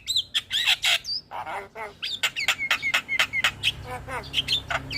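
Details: Morning song of a lively Javan myna, used as a training and lure recording: dense, harsh, chattering squawks and clipped whistles follow one another rapidly with barely a pause.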